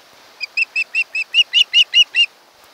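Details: Osprey of a mated pair at its nest on Kent Island, Maryland, captured by a nest camera on 1 August 2018: about ten short whistled chirps, growing louder, evenly spaced roughly every fifth of a second.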